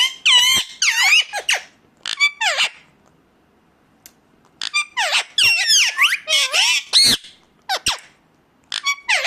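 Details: Indian ringneck parakeet's natural calls: clusters of fast, shrill, wavering squawks, a pause of about two seconds, then another rapid chattering series.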